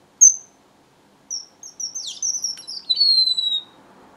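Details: Strawberry finch song: a lone sharp high pip, then a lively chain of thin high whistles with a quick dip, ending in a long, slowly falling whistled note.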